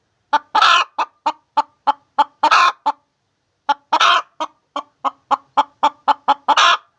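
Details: Hen calling while laying eggs: loud clucking in a steady series of short clipped notes, each run ending in a longer, harsher drawn-out squawk, repeated in two bursts with a pause between, on an otherwise quiet background.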